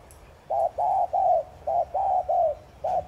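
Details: Spotted dove call used to excite other doves into cooing: a close run of low, mellow coo notes, several short syllables in quick succession, steady and clear with little background noise.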